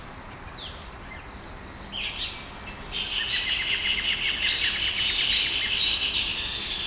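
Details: Dawn songbirds in Brasília, Brazil, with several voices overlapping. Bright high chirps and sweeping notes lead into a long, rapid run of evenly repeated clicks, while other thin twittering carries on above it.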